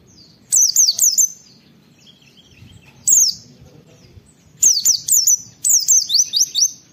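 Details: "Wit wit" calls of an oriental white-eye for tutoring other birds; thin, very high whistled notes falling in pitch, delivered in tight groups of three to five, with a single note between groups.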